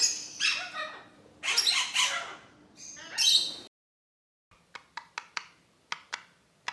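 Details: Captive budgerigars from an exhibition flock producing rich, squeaky warbling chatter in three bursts, then silence followed by a run of sharp, dry clicking ticks.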